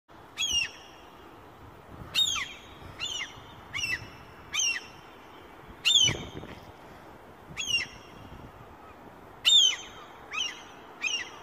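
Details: Aggressive gull in Stavanger, Norway: sharp, high, strident 'kek' cries, single or in quick pairs, repeated about once a second over a steady rushing wind or background hiss.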